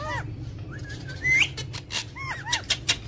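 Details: ['Ring-necked parakeet talking, described as funny and angry: soft arched notes, a sharp rising whistle, then scratchy bursts and paired curved chirps, over faint low hum.']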